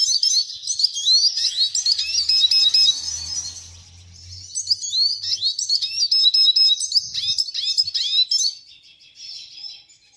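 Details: Red siskin delivering a long, excited twittering song of high, warbling notes, pausing midway before a second run, over a faint low hum.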